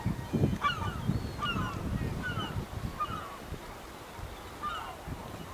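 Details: A flock of over 100 black-tailed gulls at a port in Hokkaido, Japan, in August 2010. They give short, nasal, mewing cries overlapping roughly twice a second over a low rumble of harbour noise and wind.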